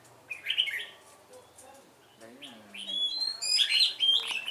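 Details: Red-whiskered bulbul kept as a decoy, starting with a short warble, then a lower drawn-out tone, before breaking into a rapid, bright run of whistled notes.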